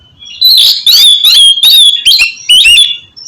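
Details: Oriental magpie-robin song used to prompt a bird that will not sing: a quick series of loud bright whistles and harsh bursts, about six phrases in three seconds.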